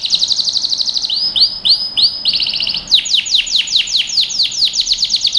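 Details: Yellow domestic canary singing, used to train young birds: quick trilled notes, then slow looping upslurred whistles, another rapid roll, and a long run of sharp descending sweeps repeated in quick succession.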